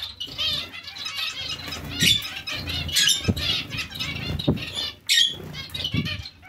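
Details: Several zebra finches in a colony alongside other finches give overlapping nasal, stacked chirps almost continuously, while fluttering wings and soft knocks sound beneath.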